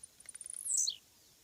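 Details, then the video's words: One complete Blue-black Grassquit (Volatinia jacarina) song: a quickening string of high ticks swelling into a harsh, sizzling buzz that drops steeply and ends abruptly. "Cantos Del Arañero Silbón, Semillero Volatinero Y Pirincho."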